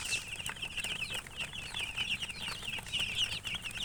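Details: Coloured chickens chirping together, a steady stream of high, overlapping peeps with short downward-sweeping notes, several birds calling at once with no pauses, over a faint low background hum.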